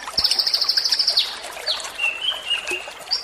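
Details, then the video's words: Konin (kolibri ninja) song, used as a training recording with clear-water sounds, recorded on a Tuesday, 19 February: a high, rapid trill of about fourteen sharp notes, then a downslurred whistle and a few thinner, lower notes, over faint background noise. "KONIN THERAPY"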